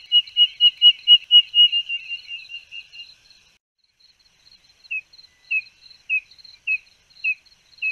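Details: Spotted nothura, a tinamou of Brazil: a rapid run of high, piping whistled notes that slows and fades, then single spaced peeps about every half second, over a steady high insect-like hum.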